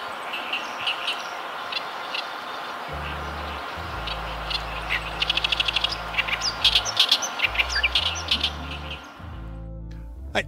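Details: Oriental reed warbler, heard along a river embankment inland in Kita-Harima, Hyogo, Japan, at the start of its season, sings loud, harsh, chattering phrases of repeated grating notes, delivered rapidly, with low background music or voice.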